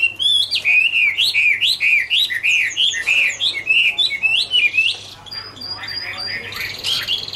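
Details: Chinese hwamei, Garrulax canorus, in an autumn love song, delivering loud rolling whistled phrases that rise and fall in quick succession, later shifting to higher sharp notes, with a faint low hum beneath.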